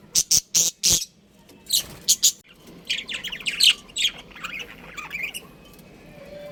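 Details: A colony of pet budgerigars: four loud, sharp, squawky chirps in quick succession open the clip, then more bursts and a run of softer, overlapping twittering chatter that fades toward the end.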